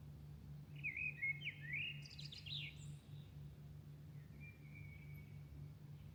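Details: Dawn birdsong in Milan at night: a burst of sharp, sliding high whistles and chattering notes in the first three seconds, then a thin sustained whistle, against a constant low hum.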